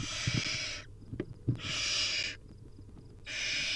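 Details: Barn Owl nestlings, wild, calling for food at feeding time: three long breathy screeching hisses separated by quiet pauses, with light scratching and bumping sounds between them.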